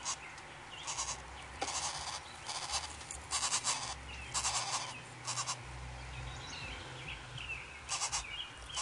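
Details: Five yellow-shafted Northern flicker nestlings, 5 days old, in a backyard nest box in 2015, give harsh, buzzy, hissing bursts about once a second, uneven in length, over a low steady hum.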